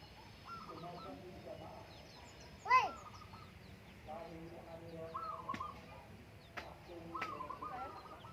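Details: A zebra dove (perkutut) sings on a Menoreh slope in the morning while farmers breakfast: brief rolling coo bursts recur at intervals, broken by one sharp loud sound and quiet voices in the background.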